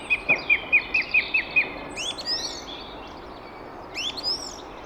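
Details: A song thrush, recorded from a hide, sings a clear, quick note repeated about eight times, then shifts to short, varied, higher twittering phrases over a steady background hiss.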